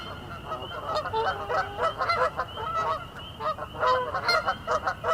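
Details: Several Canada geese honking rapidly, guttural, nasal calls tumbling over one another in quick bursts, a busy flock chatter with a faint steady high tone behind.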